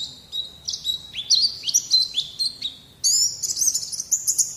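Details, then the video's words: White-eye song for training young birds to sing: a series of descending slurred whistles, then after a brief lull a bright, very high rapid twitter that continues to the end. "Terapi Masteran Terbukti Ampuh Mancing Bunyi Pleci Bakalan"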